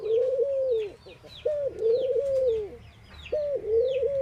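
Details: An Indian ring-necked dove coos at morning: drawn-out low tones, each opened by a short higher note, separated by brief gaps. Small birds give high descending chirps throughout.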